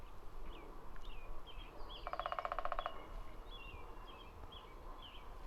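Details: A Downy Woodpecker working on wood in Green Timbers Park, Surrey, BC, Canada, on a very cloudy, low-light day about 220 ft away, drums one quick, even roll of about fifteen taps in under a second; small birds chirp faintly over a low rumble.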